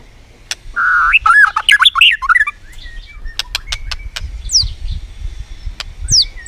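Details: White-rumped shama in competitive song: rich fluted whistles that rise and fall, then sharp dry clicks and a few thin high upslurred notes.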